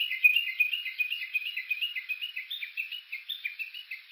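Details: Japanese bush warbler on Uguisu Road below Mount Yakushi in Kuga, Suo-Oshima, Japan, recorded on a walk with an OLYMPUS Voice-Trek V-82: a rapid run of sharp, chattering two-part notes, roughly three per second, rising in pitch toward the end.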